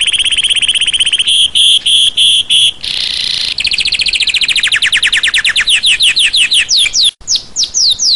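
Red Pileated Finch song: a steady high whistle, a few clipped notes, a brief rasp, then a long fast run of thin downslurred notes.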